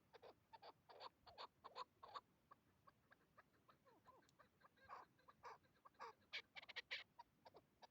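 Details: Calls of a hybrid chukar partridge in the field while hunting: clusters of harsh, clipped clucks delivered fast and unevenly, interspersed with softer slurred chirps, then louder chattering bursts toward the end.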